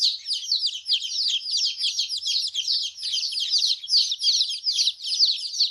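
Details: Newborn baby hen chicks, dyed in bright colours, exploring their surroundings while peeping: many shrill, quick downward chirps blend into a steady overlapping chorus, busy and unbroken.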